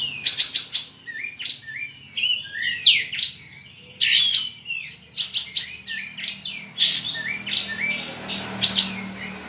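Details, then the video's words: Caged kapas tembak, or Olive-winged bulbul, from Singkawang, West Kalimantan, competing in an online bird contest. It delivers fast, varied song: steep whistled sweeps and crisp chips in repeated rich phrases about every two seconds, over a faint low hum. "LOMBA KAPAS TEMBAK ONLINE 5"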